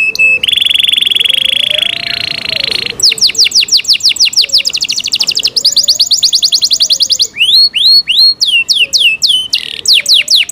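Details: Kept Yorkshire canary in full song. A long, steady buzzy tone gives way to rapid rolling trills, then swooping rising-and-falling whistled notes. A faint low hum runs underneath.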